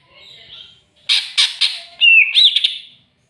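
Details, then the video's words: Provoked by a rival, a greater green leafbird gives three harsh rasping notes, then a clear whistled phrase that dips and rises, ending in brief buzzy notes. "CUCAK IJO CARI LAWAN!!!bikin cucak ijo emosi"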